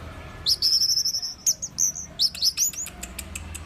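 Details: Orange-headed thrush (Geokichla citrina), song.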